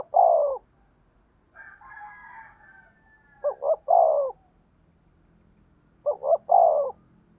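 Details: Spotted dove decoy call in fast thổ đồng style, three coo phrases of two short notes and a long falling coo, about every two and a half seconds, with a faint higher drawn-out call between.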